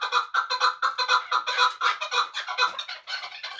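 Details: Chukar partridge from Muminobod, a bird for hunting, giving loud, harsh chuck notes repeated about four times a second in an even, pulsing run with no pause.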